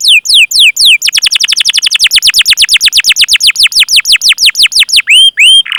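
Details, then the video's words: Canary chirping as a lure to get other canaries singing: a few spaced falling notes, then a fast, steady train of descending whistled chirps, finishing with two rising hooked whistles. "Masteran Suara Burung Kenari Gacor Panjang cuit cuit Ngerol untuk Pancingan Kenari!"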